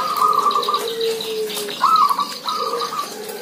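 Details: Zebra doves calling together: quick, staccato trilled coos follow one another, with a lower gliding whistle and a faint higher hiss in the background.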